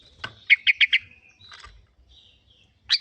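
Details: Lure recording of a sooty-headed bulbul (kutilang) meant to make birds sing: one sharp note, then a rapid run of four liquid, bubbling notes, a softer phrase, quiet, and another note at the end.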